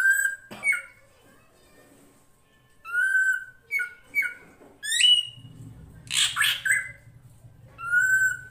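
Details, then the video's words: Drongo, srigunting krantil, in a master recording for tutoring songbirds: varied whistles and quick up-slurred notes, then a harsh raspy double burst and one closing whistle over a low rushing background. "MASTERAN SRIGUNTING KRANTIL FULL ISIN"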